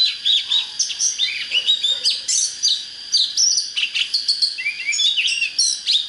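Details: Oriental magpie-robin singing a rich, varied stream of sweet whistles, chirps and buzzy trills with barely a pause, a fired-up song used to train birds and lure wild birds to fight.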